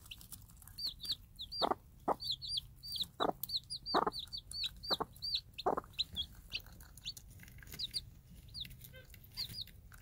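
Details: Free-range game hen, a tame and good mother, with her day-old chicks hatched from Minorca-cross eggs, calling them while dropping food. High, rising chick peeps repeat almost constantly, broken by several short, low, broadband clucks.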